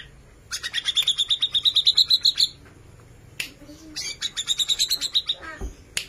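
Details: Mimicry-filled song of a Borneo White-rumped shama: two bursts of rapid, evenly spaced high chipping notes, about seven per second, with a short pause between them.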